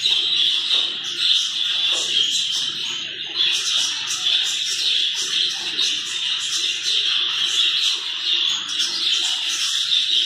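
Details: Many caged zebra finches kept together in a colony before being moved into individual cages; steady flock chatter of sharp, high beeping chirps, some bursts louder than others, over faint low rumbling indoor background.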